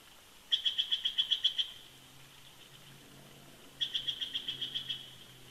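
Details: Two bursts of rapid, thin, high-pitched chittering from a wintering bald eagle pair duetting at their old nest at Big Bear Lake, California, with a quiet pause between the bursts.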